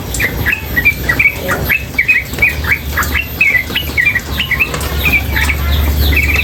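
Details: Female sooty-headed bulbul calling continuously; rapid short notes with quick up-and-down inflections tumble out in a dense, uneven series, while a rushing water sound swells louder toward the end.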